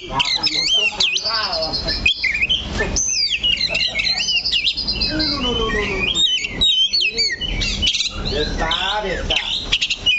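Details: Caged oriental magpie-robin perched steadily in one spot, giving a dense, varied song of rapid whistled slurs and chattering trills, with some lower harmonic notes mixed in and constant background noise.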